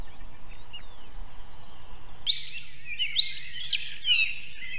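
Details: At an osprey pair's nest in Võrumaa, South Estonia, faint whistles lead into a burst of sharp, high, chirping whistled notes in a quick uneven series over a steady low rumble. Vehicle noise from a nearby military base is common there.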